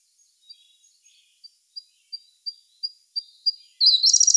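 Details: Song of a Siberian blue robin, May 2021, Sony A1 camera: faint, high, sharp notes that speed up and grow louder for over three seconds, ending in a loud, fast, chattering trill.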